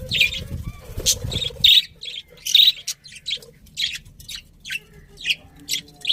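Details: Beautiful budgies chatter in busy, high, buzzy chirps, about one a second, louder and denser at the start and then thinning to spaced squeaks.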